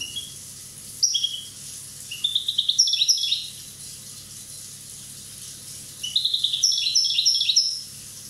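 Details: One-year-old Corsican European goldfinch in fuller song: rapid, rippling strings of high tinkling notes that rise and fall in quick succession, in two long twittering passages separated by a quiet pause.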